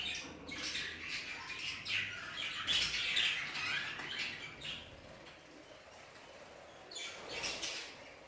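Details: Flock of aviary budgerigars, among them Hogoromo budgies, keeping up a steady rattling chatter of high squeaks and squawks, busiest early on, easing off, then a renewed burst toward the end.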